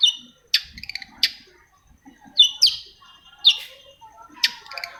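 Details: Long-tailed shrike song for coaxing quiet shrikes to sing: spaced loud harsh notes, each followed by softer chattering and short whistles, with brief silent gaps between phrases.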